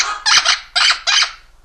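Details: Pet Amazon parrot, indoors, producing three loud, harsh, raspy screeches in quick succession, while its owner coaxes it to say bye-bye.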